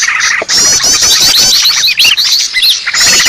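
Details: Green leafbird noisy call for luring birds: rapid bright twitters, upward-curling whistles and trills crowding together in a short, hectic burst.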